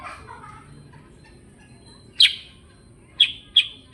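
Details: Sooty-headed bulbul in lively ngerol singing style: after a quiet start over low background hiss, a few sharp, bright chirps ring out, the last three coming in quick succession.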